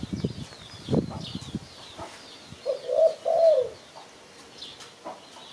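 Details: Spotted dove call used to lure birds for trapping: one soft, low coo phrase of two linked falling notes near the middle, with faint high chirps of small birds and a few knocks before it.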